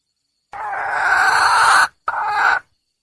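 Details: Hen junglefowl calling for a male partner: a long coarse, groaning note followed after a short gap by a briefer matching note, loud and clear.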